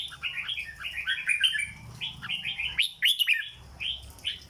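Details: Dense dok song from a caged red-whiskered bulbul: continuous tumbling whistled warbles in quick succession, a brief pause, then sharp accented chirps and a final short phrase, with low hum in the background.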